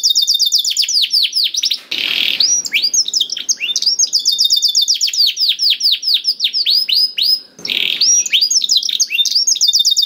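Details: Canary singing to stimulate another to sing: bright high trills of rapidly repeated down-sweeping notes, interrupted twice by brief harsh buzzy bursts, then resuming without pause.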